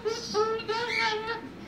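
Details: A baby pet umbrella cockatoo, excited that its owner is home from work, gives a run of nasal, voice-like babbling notes that rise and fall like chatter, with a person talking nearby.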